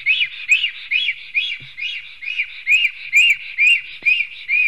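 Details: At a black stork nest in Latvia's Sigulda municipality on the morning of 11 June 2020, amid a clash of two males: rhythmic arched, nasal notes in a regular series of about ten, loudness swelling and dipping.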